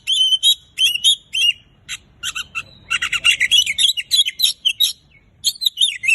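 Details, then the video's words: Vigorous 'gacor' song of an Oriental magpie-robin, aimed at getting mute birds singing: dense, varied mix of sliding whistles, scratchy chatter and buzzy notes delivered almost without break. "Kacer gacor terbaru paling ampuh untuk mengatasi Kacer bisu cepat bunyi"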